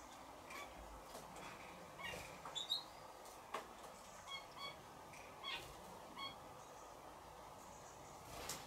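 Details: Indian silverbill, a cage bird now nesting wild around Nice, France: faint, short, high thin chirps, some paired, repeated irregularly about once a second from the middle of the clip, over steady low background noise.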